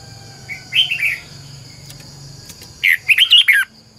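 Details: Red-whiskered bulbul used as a decoy, singing to train other birds: two short bursts of bright, warbled, slurred whistles, the second a quick run of four rising-falling notes, over a steady low hum.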